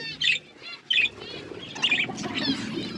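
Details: Budgies at their food give a few short high chirps, two clear ones early then softer warbles, over a noticeable low rumbling background.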